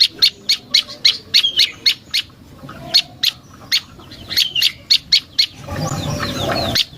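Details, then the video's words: Prinia known locally as prenjak lumut, used as a lure for birds: sharp, high chipping notes repeated rapidly at an irregular pace, with a few twittering phrases and a brief burst of background noise near the end. "Suara Burung Prenjak Lumut"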